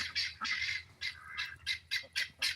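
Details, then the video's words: Helmeted guineafowl on a poultry farm gives a guinea alarm call, a harsh, rattling series of rapid grating squawks. "And that sound is our guinea fowl."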